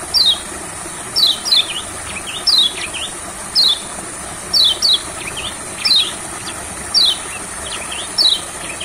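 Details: Olive-backed sunbird taken to a rice field to get a reluctant singer going. Thin, high notes slide downward, one every second or so, with fainter chirps in between. A steady high hiss runs underneath.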